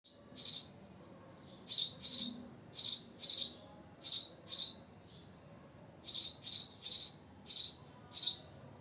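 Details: House sparrow, called goreya, chirping in short, bright, high notes, often in pairs, about a dozen chirps over nine seconds above a faint low hum.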